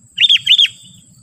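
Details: Sooty-headed bulbul calling to provoke wild bulbuls: two quick bright, slightly warbled notes, ringing and clear, with faint low rumble underneath.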